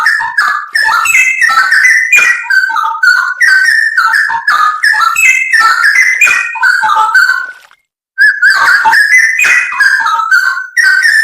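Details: Straw-headed bulbul (cucak rowo) in a masteran recording used to teach songbirds, full 'isian nembak': dense run of loud fluty whistles and warbles, a brief cut of silence near eight seconds, then more.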